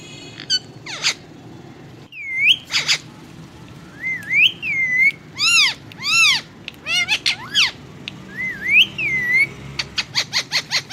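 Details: Ring-necked parakeet talking in Hindi, mixing arched, word-like harmonic phrases with looping rising-and-falling whistles, then a fast run of short clicky syllables at the close.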